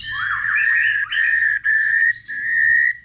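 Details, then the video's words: Many-voiced song of a white-rumped shama, played to excite shamas into singing: long clear whistles held near one pitch, broken by brief gaps, with a faint higher gliding tone above. "Kích Chòe lửa hót nhiều giọng"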